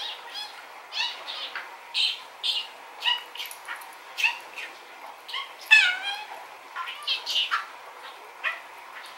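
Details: Pet budgerigar, a rainbow male, talking: steady stream of short buzzy chirps and warbles, some with swooping harmonics, recorded faintly from far off with a telephoto zoom.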